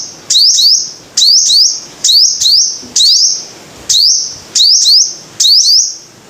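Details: Five-coloured sunbird: bright, high upswept chips, often doubled, each trailing into a brief steady tone, given at irregular intervals of about a second over a quiet background.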